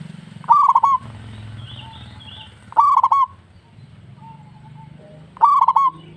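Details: Local zebra dove song, played as a lure to stir other doves into singing: loud cooing phrases of a short note followed by a rapid rolled trill, repeated roughly every two and a half seconds, with faint softer coos between.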